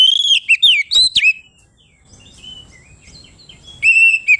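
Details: Oriental magpie-robin in full, open ngeplong song meant to call out a rival: quick slurred whistles and sharp chips packed into the opening second and a half, a lull of soft scratchy notes, then a sustained whistled phrase.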